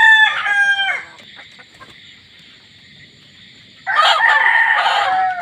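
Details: Unusual hen crowing, one of several crows counted: a loud, rich, harmonic crow lasting about a second, near silence for almost three seconds, then a second strong, hoarse crow starting up.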